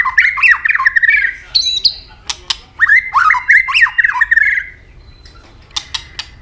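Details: Fighting song by a white-rumped shama with firm tail-snapping clicks: two long bursts of rapid, rich chattering warbles separated by high notes and sharp dry clicks, more clicks at the end.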